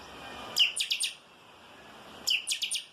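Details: Chopi blackbird (chanchão) song, 'calçada baixa' style, with two matching phrases about 1.7 seconds apart. Each phrase opens with a sharp note and then rattles off three or four quick, ringing chirps. A quiet pause lies between the phrases.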